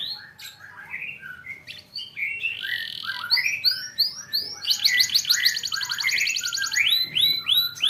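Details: Canary training song for young birds, meant to encourage them to sing: a varied jumble of whistled slurs, short chirps and sweeps, building into a dense fast trill and repeated arched notes near the end.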